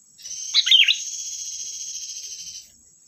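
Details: Sooty-headed bulbul (kutilang) lure song: a single short bubbly warble quickly overlaid by a loud sustained high hiss or whistle lasting about two seconds.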